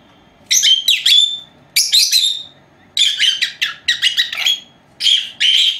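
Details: Pair of four-month-old female lovebirds kept at home, chattering during their nap; clusters of shrill, buzzy chirps come in bursts separated by brief silences.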